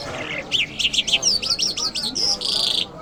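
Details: Iranian lark, called Mashhadi, singing a quick series of bright, whistled and slurred high notes that end in a sustained, buzzy trill, with faint background murmur.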